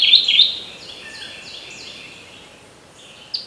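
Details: Kentucky warbler (Geothlypis formosa) singing in early July at Townsend's Park, Murrysville, Pennsylvania: a rolling series of rich, two-part phrases, loud at first, later repeats fading and sounding more distant.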